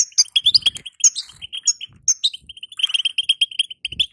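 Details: Female European goldfinch call, known locally as batbata, used to excite a caged male into singing: rapid twittering notes, with a few higher swooping whistles early on, then a steady run of short chips, with soft low thumps.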